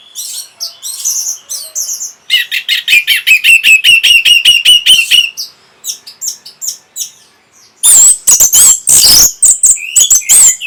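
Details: Orange-headed thrush song, played to stimulate breeding condition and provoke an answer: high varied whistled phrases, then a fast run of sharp repeated strokes with a steady whistle, ending in loud harsh chattering notes mixed with high whistles.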